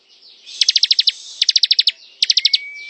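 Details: Ngebren song of the ciblek, or bar-winged prinia: three quick bursts of about seven crisp high ticks each, with a thin steady whistle beginning near the end.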